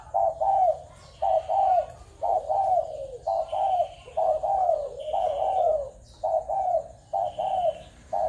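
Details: Spotted doves of Malaysian, Thai and Cambodian stock, 21 November 2022. Regular hoarse coos, grouped in rolling two- and three-note phrases about once a second over eight seconds, with thin high whistles from other birds and occasional clicks.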